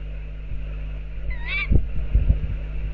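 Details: Outside an owl box, a tawny owl gives a single brief, nasal, arched call, slightly rising and then dropping. Dull low knocks and a steady background hum follow.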